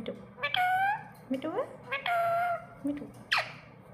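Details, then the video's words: Talking pet parrot mimicking words such as "mittu": a run of harsh, harmonic speech-like phrases, some held flat and some sweeping sharply, mixed with short squawky notes and brief quiet gaps, indoors with low background hum. "parrot talking mittu"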